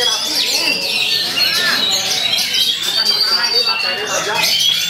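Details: Oriental magpie-robin in long-rolling, shama-imitating song while out-singing rivals: steady cascade of high whistled slurs and chips without a break, with other chattering birds behind.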